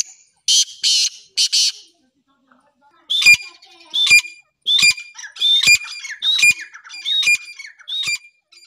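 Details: Black francolin female voice, said to set males calling, even wild ones: three short hissy bursts, then a steady series of clear, ringing, slightly nasal notes repeated about every three-quarters of a second.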